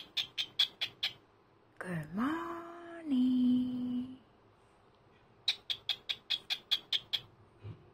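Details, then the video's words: Senior pet cockatiel's morning greeting on a Sunday: quick runs of short, high, clicking chirps, interrupted by a person's long sliding, humming vocal tone before the rapid chirping returns. "Good morning"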